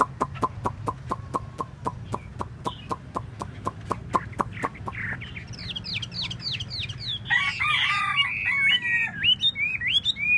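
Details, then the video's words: Chinese hwamei (hoa mi) during a tail display: a long regular series of dry clicking taps first, then rising whistled notes building into a loud rich warbled song phrase with sustained tones. "Hoa mi mua duoi"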